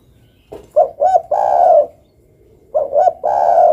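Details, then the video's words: Spotted dove calling; low coos in a repeated pattern of two or three short notes leading into a long sustained coo, phrase given twice about two seconds apart, close and clear. "Langsung manggung dan ikut gacor dengan suara burung derkuku ini."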